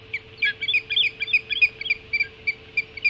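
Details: Early-morning feeding at the Hog Island osprey nest, 7 July 2016 at 5:20: a dense, hurried stream of shrill overlapping chirps, then slowing to single sharp whistled notes about every third of a second, with a low steady hum beneath.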